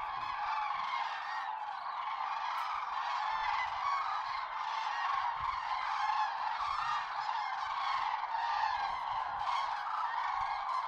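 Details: A flock of Common cranes at dawn in the Tister Bauernmoor, a wet moorland on a cloudy morning; unbroken, massed rolling trumpeting from many birds throughout, with rhythmic clusters of calls standing out above the chorus.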